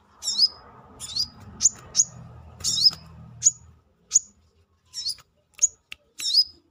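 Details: Brown-throated sunbird (kolibri kelapa, manggar) calling energetically outside the cage: a string of short, very high sweeping chirps, some with a downward then rising twist, spaced about half a second apart.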